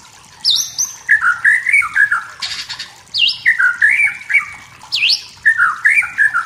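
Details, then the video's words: White-rumped shama, wild in forest, singing to provoke rivals: a repeated phrase roughly every two seconds, a high sweeping note followed by a warbling run of lower whistles, with a brief noisy rustle between. "MURAI BATU HUTAN SEDANG BERNYANYI MEMANCING EMOSI"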